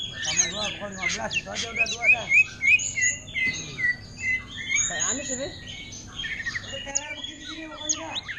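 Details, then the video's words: Greater green leafbird, a caged bird offered for sale, singing energetically in orange-headed thrush style: rapid, varied chirps and sharp whistled slurs with buzzy trills, delivered in dense bursts, over a low wavering hum. "Cucak Ijo Ngentrok Gaya Anis Merah"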